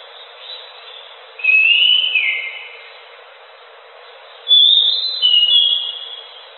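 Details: Orange-headed thrush (anis macan) gacor song: a rich whistled phrase sweeping upward then flattening, a three-second gap, then a second high, sliding phrase with a brief follow-on.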